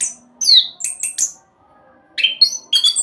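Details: Orange-headed thrush, used as a lure to prompt other birds' singing, giving a few high whistled and slurred notes, then a near-silent gap of about a second before another short burst.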